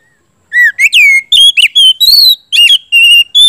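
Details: Oriental magpie-robin song played to provoke singing: a soft opening note, then a dense run of loud, varied whistles, some slurred downward, others held level, and quick chirps.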